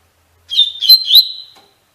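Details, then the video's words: Double-collared seedeater (coleiro) song in the Tui Tui Fibra style, played to train captive birds: a single high, clear phrase of slurred whistled notes lasting about a second, ending in short rising flourishes, with no background noise. "Encarte para Coleiro e Baiano - Canto Tui Tui Fibra"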